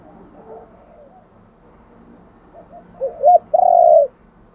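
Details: Spotted dove giving a luring call: faint murmuring coos, then near the end one loud phrase of a short hooked note and a long, steady, strong coo.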